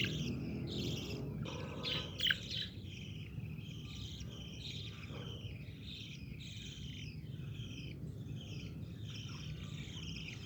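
Budgerigars keep up a busy stream of soft chirps and warbling chatter over a steady low hum.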